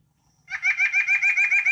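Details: White-breasted Nuthatch song, from a common bird of southern Wisconsin woods and feeders: a quick, even run of nasal, tinny notes, about seven per second, with a laughing quality.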